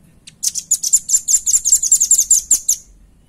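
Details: Velvet-fronted nuthatch, clear recording made for training other birds: a quick, lively trill of about fifteen high, sharp chirps lasting two and a half seconds.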